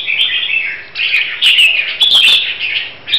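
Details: A Red-whiskered bulbul from Huế being prepared for competition sings bright, liquid warbled phrases, quick bursts of rich, high-pitched whistles with brief pauses between them.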